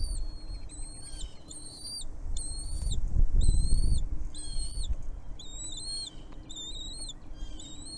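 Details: At a nest where a mother bird feeds her young, high, thin whistles come in steady paired strokes about four times a second, heard above heavy low rumble that swells midway.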